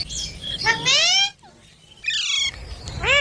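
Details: Baby green parrot chirping: two long, rising, strongly harmonic squawks separated by a brief pause, then a short, sharply rising chirp at the end.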